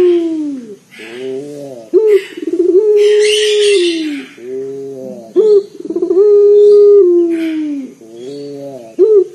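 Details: Bassy, loud local turtle dove used as a calling lure: a repeated coo phrase of a sharp rising note, fast rippling roll and long low tone sliding downward, about every three seconds; light rustling and hiss between phrases.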